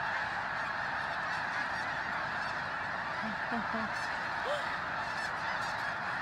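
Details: Snow geese by the thousands land among resting birds at Bosque del Apache, San Antonio, New Mexico, in cold pre-dawn air, phone-recorded; a constant chorus of shrill honks, with a few brief low-pitched voices midway.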